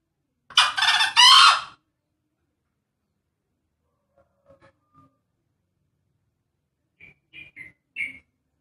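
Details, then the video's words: Male green junglefowl giving its characteristic call: one loud, hoarse, high-pitched crow about a second long, followed by a few faint, short chirping notes. "Suara ayam hutan hijau"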